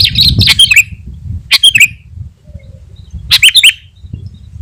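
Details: Sooty-headed bulbul giving a lively song used to draw in wild birds and stir up rivals: three brief clusters of bright, slurred chattering notes falling in pitch, separated by quiet gaps with faint low noise.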